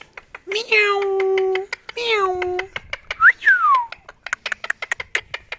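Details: A pet rose-ringed parakeet mimicking a cat, said to be getting angry, gives two drawn-out, slightly falling cat-like meows, then a quick whistled note that rises and falls, over a steady background of light clicking.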